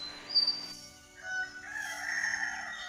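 A parrot gives a drawn-out, harmonic call rising into a long, crowing-like cry lasting about two seconds, after a brief squeaky note.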